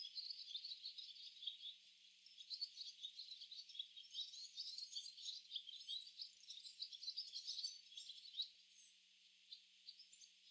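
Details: A flock of barn swallows gathering in a tree chatters together in a steady stream of high, quick twittering chirps and squeaky notes, overlapping from several birds.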